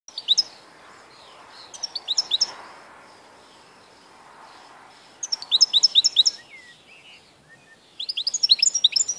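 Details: European goldfinch, recorded 11 May 2014, giving bursts of bright high twittering and tinkling notes in short fast phrases separated by pauses of a few seconds, with faint low background rumble.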